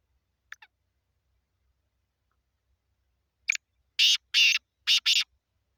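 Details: Sindh, Pakistan, black francolin: a soft clipped double note, a pause of nearly three seconds, then a short harsh note and four loud grating notes grouped in pairs.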